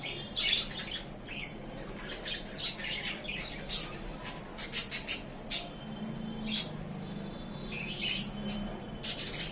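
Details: Caged budgerigars settling happily into a new small cage chatter in rapid, sharp chirps and squawky bursts, clustered in lively runs over a faint background hum.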